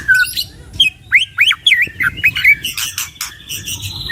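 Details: Two caged white-rumped shamas sing a training lure for songbirds, with a low whistle, then a quick series of looping slurred notes and buzzy chattering bursts.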